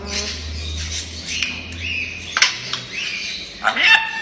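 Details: Playful talking grey parrot giving harsh squawks and speech-like vocal bursts with shifting tones, clicks, and a sharp rising screech near the end, over a low steady hum.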